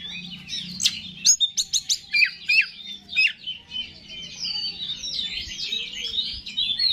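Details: Oriental magpie-robin song for provoking other males: quick chips and slurred whistles give way to a continuous scratchy warble, with a low humming background throughout.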